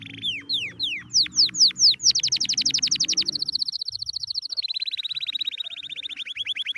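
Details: Canary singing happily: a series of loud downward-sweeping whistled notes that speed up, then a very rapid trill, shifting to a slightly lower, steady repeated trill.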